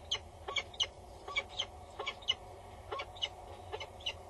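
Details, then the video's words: Female peregrine on Axel Tower, Netherlands, calling loudly and bowing near the nest box while the male stays nearby, 22 August 2019; quick harsh chatter of sharp notes in uneven bursts, background hum. "Female above the booth. Male is nearby. She is loud and bows"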